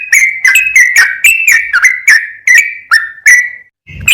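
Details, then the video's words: Sooty-headed bulbul singing lively, in full ropel style: a steady series of clear whistled notes, each dipping or rising at the start. Ends in a short gap and a low noise. "MASTERAN BURUNG TRUCUKAN GACOR FULL ROPEL"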